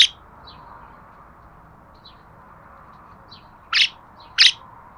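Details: Budgerigar calls: a few faint high chirps, then two loud, bright chirps close together near the end, with a quiet background between.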